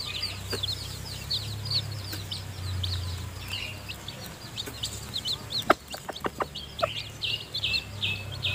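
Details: Mother hen with newly hatched chicks still too weak to leave the nest, feeding them; continuous shrill chick peeps with a burst of quick, sharp hen clucks near the end and a low background hum.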